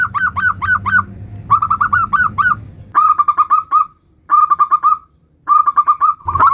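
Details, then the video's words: Local zebra dove with "nutut" song variations used as a lure: quick sharp coo bursts, then several separate runs of rapid trilled notes, each about a second long, with pauses between. "Macam macam Suara NUTUT variasi perkutut lokal gacor - Ampuh untuk Pancingan semua jenis perkutut"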